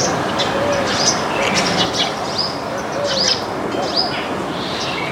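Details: Flock of Baya weavers feeding on grains in a backyard, giving bright, high chirps that rise then fall, scattered every half second or so, plus softer twittering, a couple of low whistled notes and constant background hiss.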